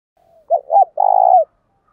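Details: Decoy spotted dove calling to provoke wild-caught doves to coo back: a faint lead-in, two short mid-pitched coos, then a longer vibrating coo that slides down at its end, in a quiet setting.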